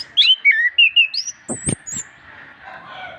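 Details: Orange-headed thrush in full vigorous song, a master recording meant to stimulate reluctant birds to sing: a quick run of clear, high whistled notes and slurred chirps, some rising steeply, ending in quieter fading phrases over a steady low hum.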